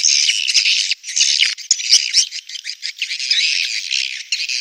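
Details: Swiftlets giving a mating call: bursts of high, raspy chattering twitters broken by short gaps and quick clicking pulses, then a dense chirping chorus.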